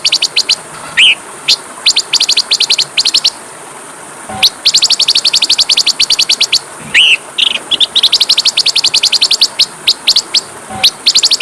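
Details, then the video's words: Oriental magpie-robin masteran used to rouse fighting birds: bursts of rapid high clipped notes separated by short pauses, with occasional lower slurred whistles between them. "MASTERAN KACER PALING DI CARI, masteran Kacer suara burung kecil yang sedang tren di tahun ini"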